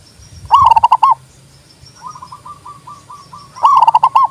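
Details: Zebra dove delivers a loud, rapid bubbling coo phrase, then a softer dove answers with a steady run of single coos before the loud phrase returns.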